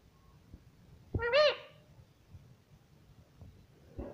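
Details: Talking parrot, said to repeat "mummy papa", produces one loud, rising-then-falling voice-like syllable. Soft knocks and a faint hum surround it.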